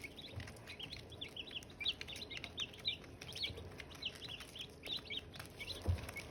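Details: Several Silkie chicks near hatching eggs, high-pitched peeping in quick overlapping bursts, many short chirps each second, over a quiet low hum with a soft thump near the end.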